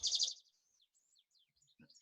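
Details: European Goldfinch song in a dawn chorus: a loud, rapid, tinkling trill lasting a third of a second, then faint scattered high twittering notes and a soft low thump.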